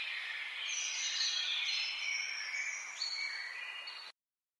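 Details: Several birds sing at once in a dense outdoor chorus of high whistles, short chirps and sliding notes, layered and continuous, cutting off abruptly before the end.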